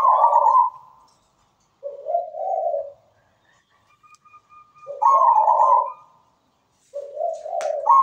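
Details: Zebra dove giving its melodious manggung song. Soft, rolling coo phrases come roughly every two to three seconds, some higher and trilled, others lower and warmer, with quiet gaps between.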